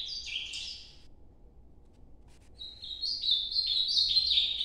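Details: Ultramarine grosbeak, Nordeste-style song: a short burst of slurred, dropping notes, about a second of quiet, then a longer warbled phrase of quick stepping notes that grows louder.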